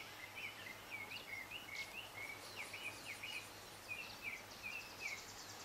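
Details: African stonechat (Saxicola torquatus axillaris) in Kibuye, Rwanda, March 2013, giving a quick run of thin, scratchy chirps around two kilohertz, with short high notes mixed in over steady background hiss.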